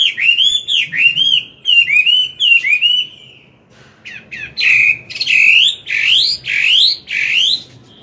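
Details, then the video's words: Morning song of a mature Chinese hwamei singing in forest style to coach a young bird: rhythmic series of loud looping whistles, about one per second, then a short pause and louder upslurred ringing notes repeated steadily. "Luyện giọng họa mi hót sáng, kích bổi mau căng lửa."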